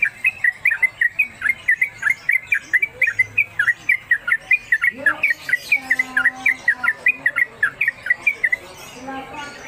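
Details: Sooty-headed Bulbul, caged and kept as a master bird, delivering a long rapid run of bright chirps, about three to four per second, for eight seconds, then softer notes and faint lower calls.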